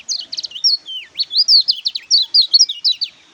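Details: Close, loud Oriental white-eye song: a fast, continuous jumble of high, sweet slurred whistles and twittering chirps with no pauses, over a quiet background.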